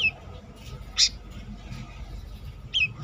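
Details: Brown-throated sunbird outside its cage giving three sharp, high chirps, each a quick squeaky note, spaced about a second or more apart over a low background hum.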